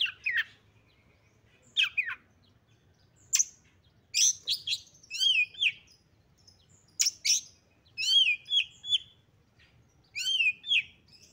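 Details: Female oriental magpie-robin (kacer betina) used as a lure to make males agitated, spread their tails and fight. Clear whistled notes and sweeping, buzzy phrases come in short bursts separated by pauses, with several down-slurred whistles near the end.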